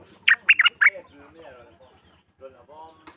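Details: Sooty-headed bulbul kept at home, recorded 28 December 2019, giving a loud, fast phrase of four rich warbled notes, followed by softer squawky calls and a faint low rhythmic background thumping.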